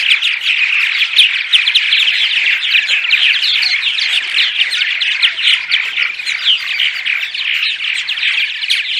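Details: Dawn chorus of purple martins used to lure birds to a colony house, a nonstop mass of rapid chirps, gurgles and creaky notes from many overlapping callers, steady in loudness throughout.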